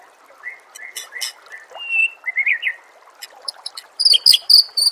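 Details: White-rumped shama song played to train contest birds, mixing clear whistled notes with sharp high clicks and buzzy bursts, amid faint trickling water sounds.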